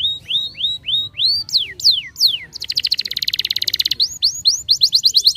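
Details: Singing canary meant to prompt young birds to sing: clear rising whistles repeated about once a second, steep descending slurs, then a dense rapid trill and a quick series of short upswept notes.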